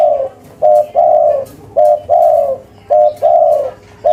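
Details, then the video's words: Local spotted dove calling steadily in the cetrekan style: paired coos, a short clipped note then a longer, slightly falling hum, repeated about once a second with faint background noise. "Suara Tekukur Lokal Gacor, Cetrekan‼5 Detik Auto Nyaut"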